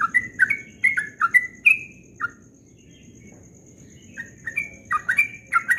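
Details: Yellow-vented bulbul singing at dawn in the fast ropel style: bursts of liquid, slurred whistled notes, a quiet pause mid-way, then another bubbling run, over a faint steady high whine.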